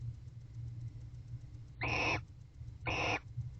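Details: A bonded pair of barn owls mating in a nest box, evening of 21 October 2023. Two strong, hoarse screeches about one second apart, each slightly longer than a third of a second, over a low electrical hum.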